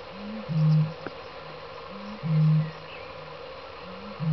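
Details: Displaying Eurasian bittern booming at Kattesteertvijver, Retie: a short intake grunt, then a deep, hollow foghorn-like boom, repeated about every two seconds over a faint background hiss.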